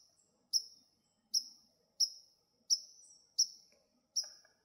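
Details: Sharp, explosive chink calls from an agitated White-throated Sparrow on a marsh trail in July, struck roughly every 0.7 seconds, each a bright high note that fades quickly, with a soft lower chirp near the end.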